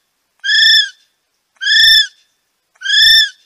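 A kiwi gives three shrill, harmonic-rich whistled notes, each about half a second long, slightly arched in pitch and repeated roughly every 1.2 seconds.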